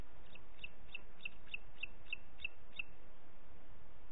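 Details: Booted eagle, Parc Natural dels Ports, recorded 30 June 2021 at 11:01, giving eight evenly spaced high, piping whistled notes about three per second, slightly muffled, over a broad background hiss.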